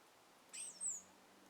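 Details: A bird at sunrise among trees in a gentle breeze gives two thin, very high whistled notes in quick succession, the second slightly falling, against quiet hiss.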